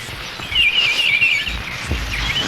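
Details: A bird likened to a mockingbird, in pines at sunrise in Mountain Brook, Alabama, sings a quick, warbling run of high chirps for about a second, then a brief fragment, over steady outdoor background hiss.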